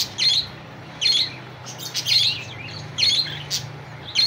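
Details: A budgerigar calling to a rival gives short, scratchy, high, slightly harsh chirps and warbles in bursts about every second over a faint low hum.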